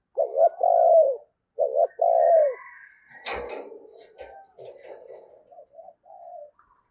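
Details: Decoy spotted dove cooing to entice wild doves at Tết: two deep phrases, each a doubled short note and a longer falling hoot, then a sharp knock and scattered faint murmuring and rustling.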